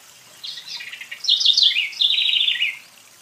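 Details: House Wren, called corruira, from Brazil, presented among the country's most beautiful birdsongs: a quick bubbly song of rapid high notes and trills, faint opening phrase then louder rattling run and a descending trilled ending, about two seconds long.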